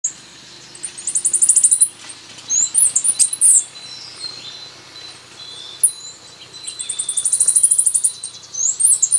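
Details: Costa Rican brushfinch song: high, thin trilled phrases that speed into rapid buzzy bursts, one early and one again near the end, with scattered sharp high notes between them in an otherwise quiet setting.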